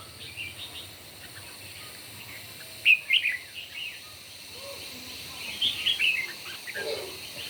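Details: Red-whiskered bulbul song during a morning singing contest: a few brief, sharp warbled phrases stand out from faint, steady background noise, with quieter chirps scattered between them.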